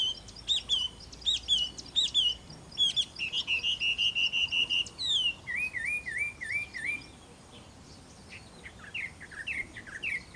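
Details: A Taiwan hwamei at Caonanpo, Taiwan, on 10 April 2016 sings a loud, varied run of clear whistles and quick trills, then a string of wavering, rolling notes over a faint rural background.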